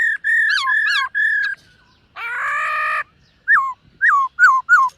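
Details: Silver-eared laughingthrush, a caged bird at morning voice training: level whistles with slurred inflections, a harsh buzzy drawn note lasting nearly a second, then several short whistles falling steeply in pitch.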